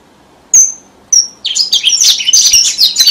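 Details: Red avadavat lure song for trapping, southern Vietnam: two separate sharp high notes, then a loud, fast jumble of high chirps and whistles that continues to the end.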